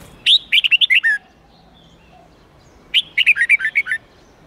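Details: Red-whiskered bulbul 8-9-10 note song, a standard wild song taught to young birds. Two lively phrases of clear, warbling whistles are heard, the first about six notes long and the second about nine, with a quiet gap between them.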